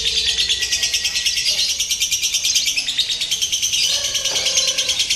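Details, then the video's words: Lovebirds in a simulated singing competition, used to train a bird's nerve for contests: a dense, continuous high chattering trill pulsing about three times a second, many birds overlapping, with faint low murmurs beneath. "SIMULASI LOMBA TERBARU : TERBUKTI AMPUH MELATIH MENTAL LOVEBIRD"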